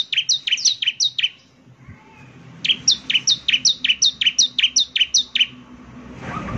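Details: Bar-winged prinia (ciblek semi) singing vigorously, gacor style, said to make other prinias answer: two bursts of fast, bright chirped notes, about ten rapid repeats each, separated by a short pause with faint low background hum.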